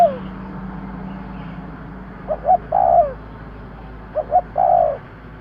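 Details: Spotted dove call used as a bird lure: two phrases about two seconds apart, each a quick double hoot then a long descending coo, over constant low hum and faint hiss.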